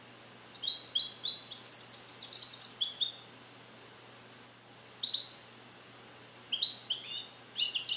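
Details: Captive-bred male European goldfinch, born in 2021 and song-trained with Neapolitan passages, isolated in a carrier; a dense burst of high, rapid twittering notes for about three seconds, then shorter tinkling phrases separated by pauses.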